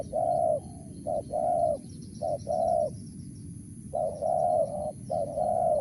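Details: Wild spotted dove with a crisp 'mersik' voice cooing: short note plus long hollow coo, repeated, with a brief pause midway before the phrases resume.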